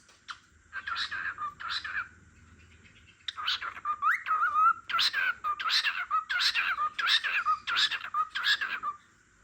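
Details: Cockatiel singing at home while a sleepy lovebird dozes; repeated warbling whistled phrases rising and falling, about one per second after a short pause, clear and dominant.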